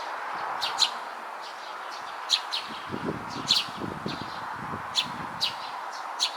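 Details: Sleepy-eyed young Eurasian tree sparrow, fledgling stage, 9 June 2022: bright clipped chirps, some doubled, roughly every second, with soft low rustling and thumps partway through and a constant droning background.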